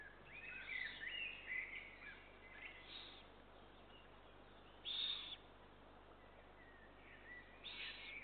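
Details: Eurasian eagle-owl chicks during feeding, 2 June 2023, giving repeated harsh, hissing rasps in short bursts, several overlapping early on, then spaced louder hisses.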